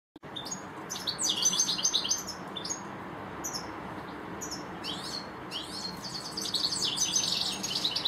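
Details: European goldfinch, one of two goldfinches in a garden, singing a rapid tinkling twitter of high buzzy and liquid notes in bursts, with a short pause midway and a dense run near the end.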